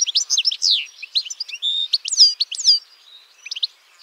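A European goldfinch sings a fast, tinkling jumble of high twitters, trills and liquid notes, run together with barely a pause over four seconds.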